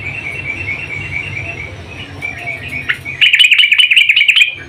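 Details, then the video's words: Female sooty-headed bulbul calling the male: quiet twittering notes, then a sudden loud, rapid string of bubbly chirps lasting over a second, over faint low hum. "Kicau trucuk BETINA memanggil JANTAN"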